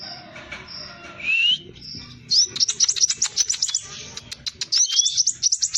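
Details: Hair-crested drongo singing as a lure recording for training birds, in a fast close-packed rolling style: steady high whistles and a rising slur, then a rapid burst of sharp repeated high notes with faint low background rumble.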